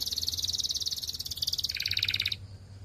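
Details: A Belgian canary delivers a rapid, rattling high trill that steps down in pitch partway through before stopping abruptly.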